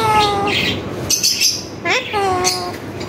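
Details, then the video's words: Tame talking parrot imitating human words. Drawn-out harmonic, speech-like tones are followed by a quick rising squeaky syllable and another sustained voiced phrase, against a low background hiss. "full talking parrot"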